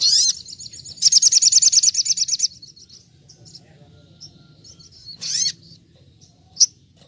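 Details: Little spiderhunter in a wild-style training recording of rapid 'nembak' song: an opening squeak, then a fast, even volley of high stuttering notes for over a second, quieter twitters, and another sharp upslurred squeak.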